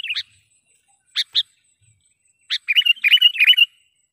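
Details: Sooty-headed bulbul trapping lure: a few separate sharp chirps, then a fast, steady run of bubbly, whistled notes of about nine pulses, bright and excited.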